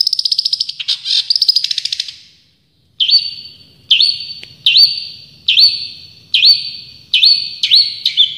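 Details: Long-tailed shrike, a champion bird, giving tembakan song. A two-second rattling trill is followed, after a brief silence, by loud, sharp downslurred notes repeated evenly, about one every 0.8 seconds.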